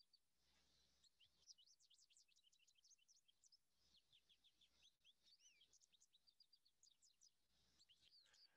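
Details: American goldfinch (Spinus tristis), a DuPage County backyard bird, sings a long, rapid jumble of high, sweet twittering notes and slurred up-and-down whistles, run together with brief pauses over faint hiss.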